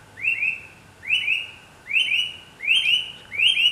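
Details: A bright-rumped attila in Costa Rica gives loud, slightly rising whistled notes in quick double bursts, repeated about every three-quarters of a second over faint background hiss.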